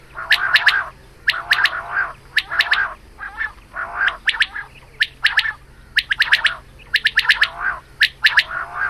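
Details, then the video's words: Female quail calling in the morning, a recording used for quail hunting: quick clusters of two to four sharp, clicking high notes alternate with harsh, raspy chattering bursts, repeated roughly once a second over a faint steady hum. "Batair Ki Awaz Shikar Ki liye | Quail Calling Batair Ka shikar | Female Batair Calling Suba"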